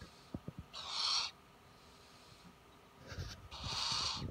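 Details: Indoor captive Spix's screech owl at a computer screen, tracking the mouse cursor; two loud, rough hissing screeches about two and a half seconds apart, with small clicks between them.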